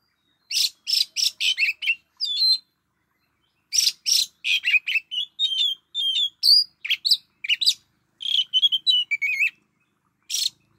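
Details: Oriental magpie-robin used as a decoy, giving loud scratchy bursts and sweet slurred whistles in rapid bunches, with a brief quiet gap before the song resumes.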